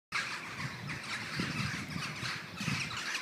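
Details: Common starlings gathered in a murmuration on a morning of 21 November 2012; a dense, unbroken wash of overlapping squeaky and scratchy calls from a large flock, with soft low thumps underneath.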